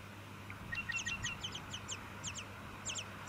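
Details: Tawny-crowned honeyeater, Victoria, Australia, September 2017. Quick bursts of thin, very high notes curving downward, clustered in pairs and triplets, a few lower flat notes among them, over a light hum.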